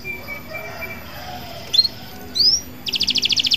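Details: Local canary meant to spur other canaries into song. After a quiet stretch come two short rising whistles, then a rapid, even, buzzy trill of repeated notes.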